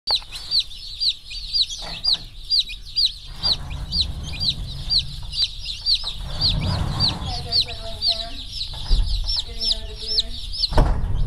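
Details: Newly arrived slow-growth Rainbow broiler chicks, part of a batch of 1040, running about and pecking after their journey; a dense chorus of high, rapid peeps overlapping constantly, with lower rumbling and a few deeper calls near the end.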